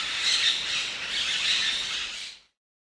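Blossom-headed parakeet: shrill, harsh chattering in two loud swells over about two and a half seconds, high-pitched and scratchy, then silence.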